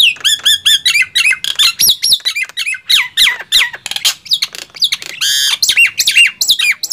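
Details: Nias hill myna and black-winged myna in a loud singing contest: rapid, harsh squawks and shrill whistled notes sliding up and down, packed closely together with a short buzzy burst near the end.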